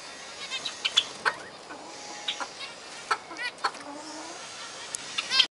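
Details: Kept zebra finches calling, with short nasal notes, brief rising chirps and a sustained thin tone amid steady background noise and several overlapping birds.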